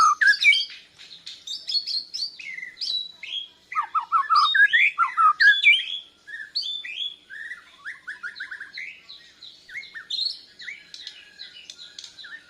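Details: Borneo white-rumped shama, a learner answering a lure recording with its breast feathers fluffed out, pours out a fast jumble of whistles, chattering notes and rapid trills, loud at first, then quieter with repeated short notes.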